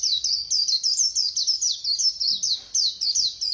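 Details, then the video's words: Non-stop rapid white-eye song in the 'khuyên líu' style: a continuous stream of high, bright, down-slurred chirps, several per second, with a brief soft knock partway through. "Khuyên Líu Hay _ Mau Mỏ _Tốc Độ _Tiếng chim Khuyên Líu"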